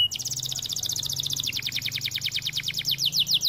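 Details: White canary singing a high, fast rolling trill of rapid identical notes, about three per second-fraction, shifting midway into slower, slightly downslurred notes, over a faint low hum.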